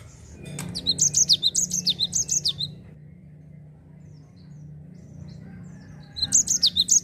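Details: Ngerol-style rolling song of a Java sparrow meant to prompt untrained birds to sing. About a dozen quick, high, downward-sweeping notes run for two seconds, then a long hush over a low hum before the next phrase begins.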